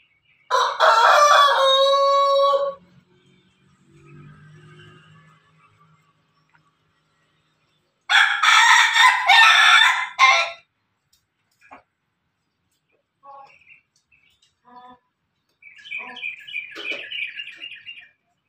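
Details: A farmed rooster, a cross of Pelung, Bangkok and Ketawa chickens, gives two long, loud, drawn-out crows, each breaking into a ragged, wavering tail.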